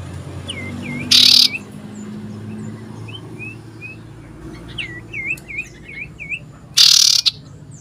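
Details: Common iora calling loudly, seeking a rival, recorded 27 December 2022: a run of short upturned whistled notes near the middle and end, with two harsh broadband noise bursts and a low background hum.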